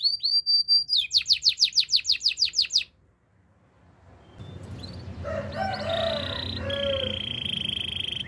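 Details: Canary song opening with a fast, regular trill of bright repeated notes lasting about two seconds, then a short silence, followed by softer mixed warbles and a long steady high whistle over a faint background hiss.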